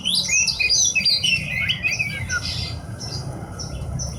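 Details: A hobby-kept Horsfield's bush lark pours out a rapid tumble of high slurred whistles and twittering notes that fades toward the end over steady low background noise.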